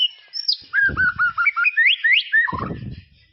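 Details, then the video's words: White-rumped shama in tropical forest: a clear high whistle, then a quick string of short rising whistled notes and a falling slur, with low thumping noises underneath. "SUARA KICAUAN MURAI BATU HUTAN TROPIS"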